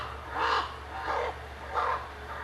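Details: Common ravens, constantly active after feeding around a wolf enclosure in December 2011, giving three harsh, hoarse croaks about every 0.7 seconds over a steady low hum.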